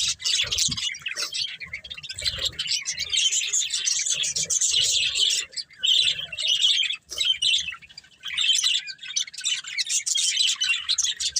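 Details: Budgerigar breeding pair with family chirp nonstop: dense, high, buzzy twitters and squeaky warbling notes, rising and falling in loudness, with a couple of brief silent breaks.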